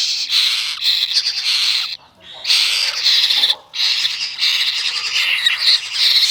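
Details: Hungry baby parrot chick at its morning feeding, eagerly waiting for milk: loud, harsh, raspy screeches in long drawn-out bursts, with two short pauses between them.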